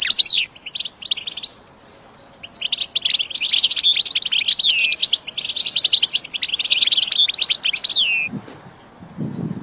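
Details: Goldfinch song played to train caged birds, opening with a descending chirp, a short silence, then long bursts of quick high twitters and trills ending in a falling whistle, followed by soft low knocks.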